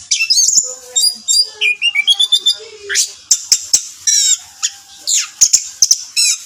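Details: Orange-headed thrush song: continuous high, varied whistles, trills and mimicked-sounding notes with sharp clicks, busy and rapid throughout.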